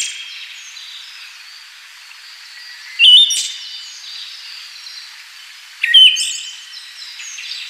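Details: Two brief, bright whistled phrases from a Siberian thrush about three seconds apart, each a quick upward-stepping note, with a soft hiss of ambient noise between them.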